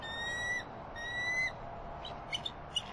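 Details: A mated pair of bald eagles at their nest in Redding, California give an alert vocalization at another bird flying over, likely a turkey vulture or an immature bald eagle: two thin, high, slightly rising whistles, then brief sharp chips.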